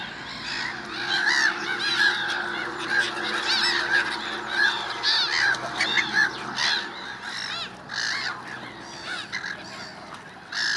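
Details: A noisy gathering of gulls in early spring: dense, overlapping, arched yelping calls, roughly one loud burst every second, with many birds heard together throughout.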